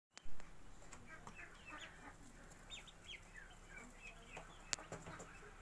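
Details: Day-old Magpie duck ducklings giving thin, high peeps; a few short downslurred chirps scattered over a low background hum, with one sharp click near the end.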